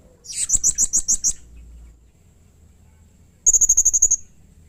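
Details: Blue-crowned hanging parrot calling with aggression: about seven shrill, evenly spaced high notes, a short silence, then a fast, tight sequence of around nine thin, high-pitched ticks.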